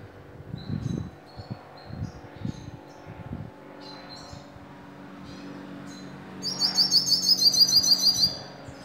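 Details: Hooded siskin in Bauru, São Paulo, Brazil, sings a metallic song: scattered high chirps, then a fast, bright metallic run of about a dozen ringing notes over two seconds; dull low knocks sound early on.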